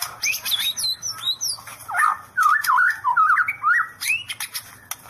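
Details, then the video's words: White-rumped shama performing "sambaran listrik" (electric strike) song: high thin whistles and sharp ticks give way to a rich, twisting run of mid-pitched warbled notes, each slurred up and down, with sharp clicks between phrases. "Murai mengeluarakan sambaran Listrik"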